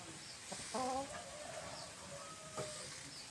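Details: Domestic hens: one louder, harmonic squawking call rises briefly near the first second. Quieter clucks and a thin drawn-out note follow against faint background hiss.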